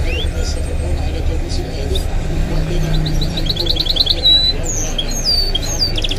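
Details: A pet goldfinch-canary mule sings high, quick twittering notes, rapid trills and bright slurred whistles over a steady low rumble and background Arabic sports commentary.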